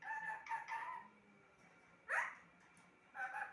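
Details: Pet parrot talking indoors: a few speech-like harmonic syllables at the start, then a quick rising squawk-like sweep and a final short two-syllable phrase, with quiet pauses between.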